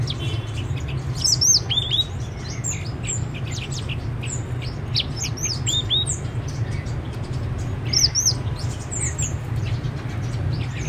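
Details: Blue-winged laughingthrush (Trochalopteron squamatum), song.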